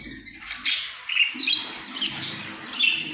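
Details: Australian parrot kept indoors, uttering scratchy, high chattering squawks and short screechy notes in an irregular burst.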